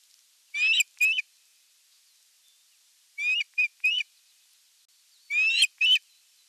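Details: Nest camera at an osprey nest on 30 June 2022, evening feeding: a run of three bursts, each a couple of whistled, upward-sliding chirps, separated by gaps of about two seconds.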